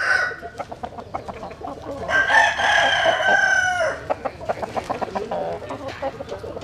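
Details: Chickens sunning themselves at dawn; a rooster gives a long, hoarse crow amid steady background clucking and other fowl noise.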